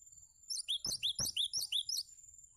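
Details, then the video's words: Cinereous tit singing, recorded for tutoring other songbirds: a fast run of about eight sharp, high slurred notes, each dropping in pitch, delivered in an even rhythm over a faint constant high-pitched whine. "Masteran Gelatik Batu"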